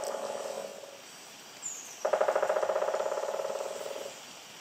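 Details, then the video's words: Pileated woodpecker drumming on trees, heard as a machine-gun-like rattle: a brief burst at the start, then a louder, rapid, even roll of knocks lasting about two seconds that slowly fades, with a faint high note in between. "𝐇𝐞𝐚𝐝𝐛𝐚𝐧𝐠𝐢𝐧𝐠 𝐎𝐧 𝐓𝐫𝐞𝐞𝐬 🥁 𝐌𝐚𝐜𝐡𝐢𝐧𝐞 𝐆𝐮𝐧 𝐏𝐢𝐥𝐞𝐚𝐭𝐞𝐝 𝐖𝐨𝐨𝐝𝐩𝐞𝐜𝐤𝐞𝐫"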